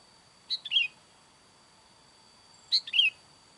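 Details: Sooty-headed bulbul calling to wild bulbuls: two short bright phrases about two seconds apart, each a sharp high note followed by a quick warbled slurred descending pair, over a quiet background with a faint steady high tone.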